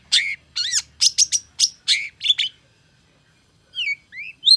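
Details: Long-tailed shrike answering a rival bird: a string of harsh, descending squeaky notes for about two seconds, then a pause and a few thin rising slurred whistles.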